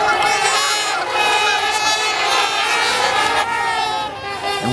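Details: A couple hundred Trumpeter Swans winter on the unfrozen Mississippi River at Minneapolis, Minnesota, in mid-January around 7:30 am at zero degrees. They honk continuously in nasal, horn-like overlapping calls, and a man's voice is faintly heard.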